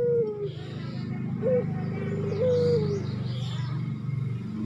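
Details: Coos of a spotted dove in breeding condition calling for a female: a falling coo, a brief rising note, then a long level-to-falling coo, over a loud low rumble and faint high chirps.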